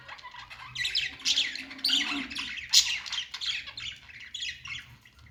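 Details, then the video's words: Happy budgerigar chirping and singing: steady stream of raspy chatter, thin squeaks and buzzy trills, rising and falling in loudness throughout, with a soft low hum underneath. "Budgies singing"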